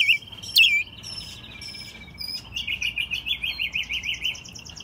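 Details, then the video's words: Captive American robin, raised from a chick in Mexico City, singing in spring 2020; a sharp swooping note, a long steady thin whistle, then a fast rattling trill of repeated notes. "Mirlo Primavera, el pájaro melómano cantando en CDMX"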